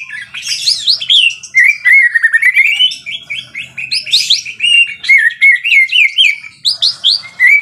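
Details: White-rumped shama in full, vigorous song: loud, varied whistled phrases sliding up and down, rapid trills and sharp upward sweeps, delivered continuously with brief pauses.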